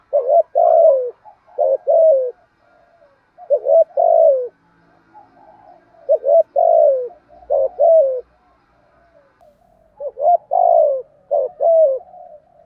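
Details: ['Spotted dove cooing steadily to stimulate other doves to call. About six phrases in a row, each with short hooting notes and a longer mellow descending coo, with soft quiet notes between them.']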